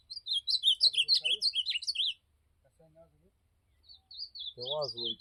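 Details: Ultramarine grosbeak (azulão) singing in the campeada style: a rapid two-second burst of high, warbled chirping notes, a pause, then softer high notes resume while a man's voice speaks briefly near the end.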